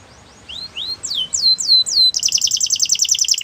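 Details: Belgian canary song for making other canaries sing: soft rising notes, four loud downward-sweeping whistles, then a fast pulsing buzzy trill of rapidly repeated notes.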